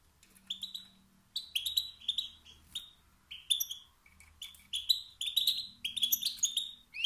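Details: European goldfinch male uttering stimulating calls that spark rival males' singing; repeated tinkling twitters and rising chirps, growing denser toward the end, over a faint low hum.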